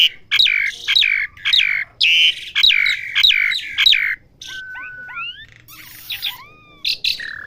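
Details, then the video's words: Asian pied starling in training to learn sounds gives a run of harsh, chattering notes about twice a second, then thin sliding whistles, some rising and some falling, with scattered short chirps. "Melatih jalak suren belajar bunyi"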